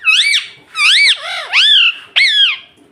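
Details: A pet talking parrot utters four loud, harsh, arching squawks of about half a second each. Each rises and falls sharply, with short gaps between them.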